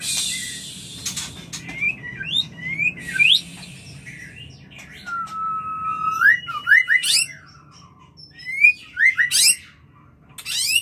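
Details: White-rumped shama mating call used to bring on breeding: a long varied series of rising, bouncing whistles and sweeping slurs, with a long flat tone midway and sharp high flicks, separated by short pauses.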